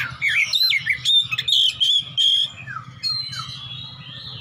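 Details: Oriental magpie-robin kept as a fighter, calling out for an opponent in ngeplong fashion: a fast run of bright, warbled whistles, then softer descending slurs and a thin rising note, over a low background hum.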